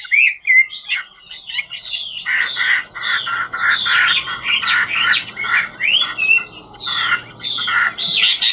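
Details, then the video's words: Chinese hwamei singing and dancing, ngũ trường type: clear whistles at first, then a busy jumble of loud slurred, rising and falling notes and harsh chirps over a steady low rumbling background noise. "Họa mi ngũ trường hót múa cực chất"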